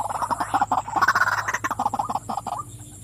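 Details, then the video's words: Female white-breasted waterhen calling: a dense, fast run of harsh, nasal croaking notes, crowded together and briefly rising in pitch midway before fading out near the end. "burung wak wak betina suka memanggil.."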